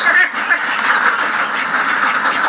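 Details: Many ducks on a farm call at once, a rough, buzzing wall of quacks with a few louder individual calls rising above the flock.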